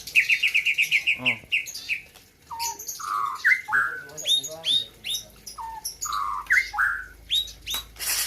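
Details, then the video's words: A white-rumped shama from Gayo, Aceh, competing in 2021 opens with a rapid trill of about ten identical notes, then a varied sequence of rich whistles and upswept chips. "ALUNAN MERDU MURAI BATU"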